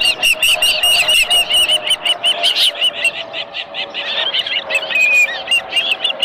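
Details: An osprey at the nest with a live fish keeps up a fast, ringing chatter of high chirps, uneven in spacing, with one longer drawn whistle near the end.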